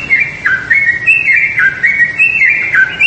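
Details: Yellow-vented bulbul chattering: steady, liquid warbled phrases that repeatedly dip downward and bounce back up, roughly once per second, loud and close.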